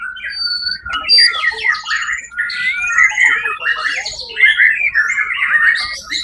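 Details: White-rumped shama competing at the Suara Agung contest on 1 October 2023, where it won first place; dense rolling song of slurred whistles and buzzy chatter, phrases running together almost without pause.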